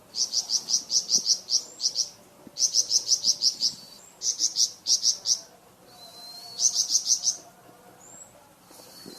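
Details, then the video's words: Flamboyan bird singing a varied song used as training material for cucak ijo and magpie robin: bursts of rapid, evenly spaced high chips, each burst about a second, separated by short pauses with thin whistled slurs. "Suara variasi burung flamboyan untuk masteran cucak ijo dan murai batu"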